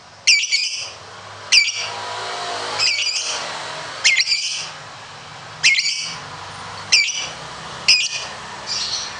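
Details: Lovebird kept for singing contests giving repeated shrill, squeaky chirps, often doubled, about every second or so, with faint scratchy twittering between them.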